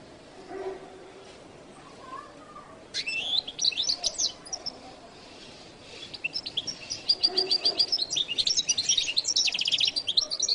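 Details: Goldfinch singing in the jilguero latino style, starting after a quiet opening with a sudden burst of high twittering, then building into dense rapid trills and repeated bright whistled notes that run to the end.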